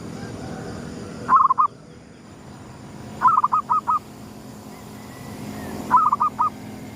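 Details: At sunrise a zebra dove gives a 'gedong mengo' style lure call, three phrases of three to five clipped, bubbling coo notes a few seconds apart, with faint low rumbling behind.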